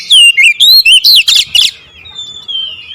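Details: Kacer (oriental magpie-robin) giving 'nembak ngerol' song: five or six loud, twisting whistled phrases in quick succession, trailing into a soft, long, falling whistle.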